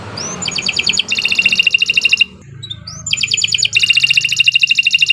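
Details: Canary singing gacor, played as a lure to get other canaries singing: two long bursts of rapid, buzzy, high trills, each opening with a quick rising upslur, separated by a short pause.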